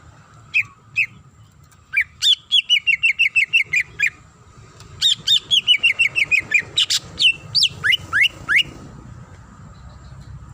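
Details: Calling female greater green leafbird seeking a male: bursts of quick repeated chipping notes in descending runs, separated by pauses, ending in a few rising whistled slurs; a quiet low hum runs throughout.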